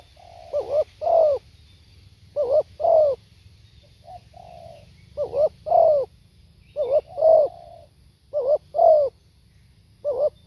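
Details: Repeated cooing song of a spotted dove: six phrases of stuttering double notes ending in a rich downslurred coo, with quiet humming notes in the gaps, delivered roughly every one and a half seconds against faint low noise.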